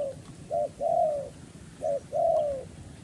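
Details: Decoy spotted dove calling to lure wild doves for trapping: two low cooing phrases, each a short note followed by a longer, slightly falling coo, about a second apart, over faint background hiss.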